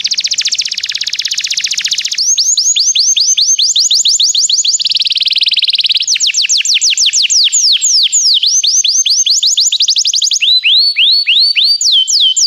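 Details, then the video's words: Canary song played to prompt another canary to sing: a fast buzzy trill gives way to tours of repeated high swooping notes, each tour at a new pitch, with a brief lower rolling section. "O som de um canário é eficaz para o seu canário cantar"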